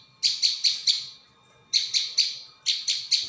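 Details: Prinia lure recording: bright, slightly buzzy chip notes delivered in quick bursts of four, with short pauses between bursts.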